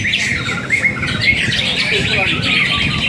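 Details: Caged Greater green leafbird at a songbird contest, a two-season first-place winner, delivering rapid twittering, warbled phrases with sharp chirps and slurred whistles, over a low hum of voices.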